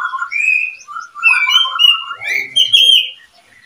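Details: Breeding pair of oriental magpie-robins, described as a well-matched couple: rich fluting whistles, rising and falling slurs strung closely together for about three seconds before stopping.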